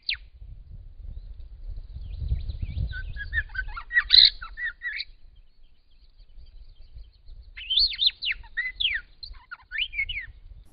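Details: Grey shrike-thrush, a bird found Australia wide, singing in spring: short bursts of clear whistled and slurred notes mostly high, with a pause between phrases and a low rumble of background noise early on.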